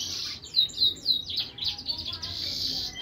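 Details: Mule from a finch crossed with a siskin, a hybrid in chatty 'gacor tembakan' song: rapid high trills and sharp whistled slurs, repeated about four times per second, loudest in short rising bursts.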